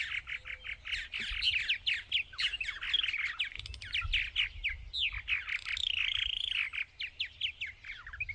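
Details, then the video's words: Purple martins in 2024 chatter in a fast, busy mix of gurgling chirps, croaks and rising whistled notes, several birds overlapping, with a low rumble of wind underneath. "purple martins"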